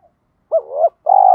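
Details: Spotted dove lure with a 'thổ pha đồng' voice, cooing to rouse newly trapped doves. A brief mellow coo note slides and warbles, then a sustained pulsing purr starts.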